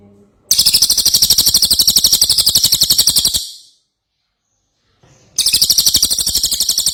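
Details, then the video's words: An ashy tailorbird singing vigorously, recorded as tutor song: two long trills of fast, high, piercing chirps, about four per second, separated by a silent gap of more than a second. "Cililin Gacor"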